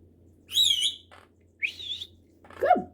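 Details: A pet Quaker (monk) parakeet that talks and whistles gives clear, high whistled notes, then a lower, downward-sliding, voice-like phrase.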